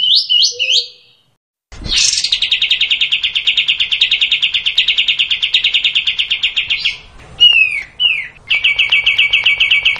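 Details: Bulbul singing a long sustained run: brief whistled notes, a pause, then a prolonged rapid trilled stream held at steady pitch for about five seconds, a few downslurred whistles, and the trill resuming.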